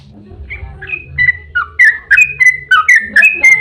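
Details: Yellow-vented bulbul singing a 'ropel panjang' song meant to lure other bulbuls into singing: scattered whistled notes quickening into a fast series of sharp, slurred phrases toward the end.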